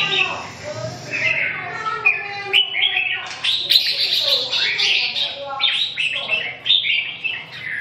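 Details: Red-whiskered bulbul giving dense, overlapping warbled and chattering phrases, almost continuous, with a steady low hum beneath.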